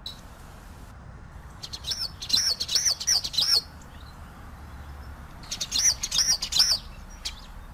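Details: Common waxbill (Estrilda astrild) singing two bursts of rapid ticks and four then three arched, high whistled notes in quick succession, with a short pause between bursts over low steady background noise.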